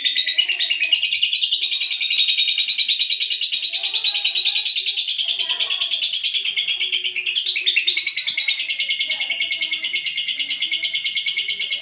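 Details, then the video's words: Olive lovebird singing a long-duration song: a continuous, rapid, buzzy high chatter of twittering notes, about three per second, sustained without a break and shifting slightly higher near the end. "love bird olive durasi panjang"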